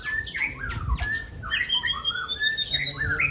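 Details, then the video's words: Two caged Aceh white-rumped shamas face off in a song contest, giving loud sweeping whistles that drop steeply, then longer level and gently rising whistled notes overlapping, with faint room noise beneath. "Laga Murai Aceh"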